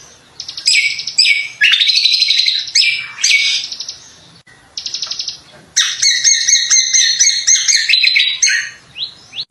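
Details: Greater green leafbird in full, lively song: a fast stream of varied high chirps, slurs and rapid trilled bursts in several bouts separated by short pauses, with sharp descending notes and chattering phrases near the end.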